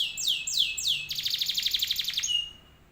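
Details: Canary song played to draw other canaries into replying: three loud downward-sweeping whistles, then a fast buzzy trill of repeated notes ending on a short steady tone.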